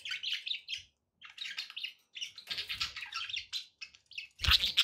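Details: Budgerigars warbling and chirping steadily indoors in dense, scratchy phrases with brief gaps, ending in a loud harsh squawk, some low background noise.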